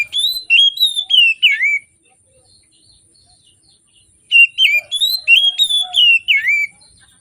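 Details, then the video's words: Oriental magpie-robin in full morning song, used as a lure for birds that are slow to sing: a burst of sweet, sliding whistles, a pause of about two seconds, then a second fast run of varied whistled notes. "Kacer Gacor Di Pagi Hari"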